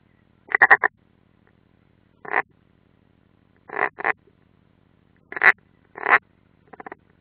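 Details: European rollers (Coracias garrulus) at the Ādaži military training ground, Latvia, on 30 June 2016, from a live stream. They give harsh, rasping croaks, often in quick pairs or triplets spaced a second or two apart, over a faint low hum.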